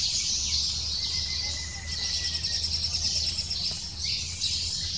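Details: A lesser spotted woodpecker (Dendrocopos minor) chick in the nest calls insistently for food, excited as the female arrives to feed it: a continuous, high, buzzy chatter of rapid notes over a faint low hum.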